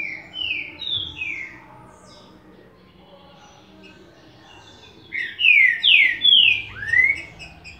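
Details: Green-winged saltator song: a short phrase of three rich, slurred whistles, then after a brief pause a louder phrase of four or five swooping, rising-and-falling notes, over faint background noise.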